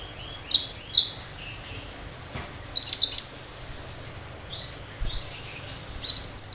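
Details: Cinereous tit singing its 'tembakan tajam' sharp-shot song, used so hearing birds reply and copy; three separate bursts of rapid, piercing high chips and twitters spaced a couple of seconds apart, with low background rumble.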